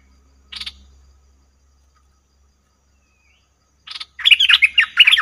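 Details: Cream-vented bulbul lure sound for trapping, recorded 02/11/2021: one short chattery burst, a long silence, then about a second of quick, bubbly, jumbled notes repeated in a rapid run.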